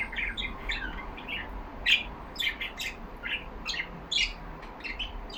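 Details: Caged yellow budgerigars chattering: short separated chirps and buzzy clicks in quick groups, with a few louder sharp notes, over faint indoor background hum.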